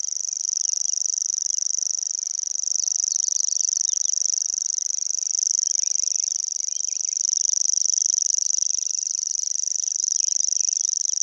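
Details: Nonstop reeling song of a Common Grasshopper Warbler, bill open, recorded by the Vistula near Gdańsk: a long, unbroken high mechanical trill of fast identical pulses, rising and falling gently in volume, faint background birdsong.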